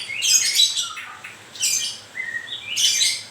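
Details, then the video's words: Three rough, scratchy bursts from a moulting white-rumped shama, each trailing into a brief lower whistle. "Kicau mania.. murai baru rontok bulu..."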